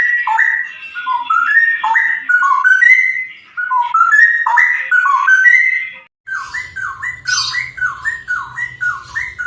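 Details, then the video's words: Cucak rowo, the straw-headed bulbul, delivering bubbling whistled song: clusters of liquid, stepped notes rising and falling, a short break, then faster repeated slurred phrases over a faint low hum. "cucak rowo ropel vs samyong gacor ngerol"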